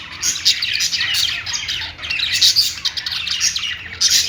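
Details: Pet budgerigars singing: a dense, continuous chatter of high chirps, squeaky notes and warbled twitters from several birds at once, with bursts that swell and fade every second or so.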